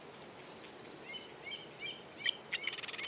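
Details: Marsh wren giving a series of short high ticking notes, roughly three per second, that run into the start of a rapid buzzy trill at the end.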